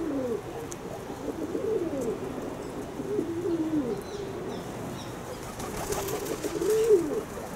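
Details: Kept pigeons coo in long, wavering, throaty phrases that rise and fall, with a brief flutter of wings and some rustling noise toward the end.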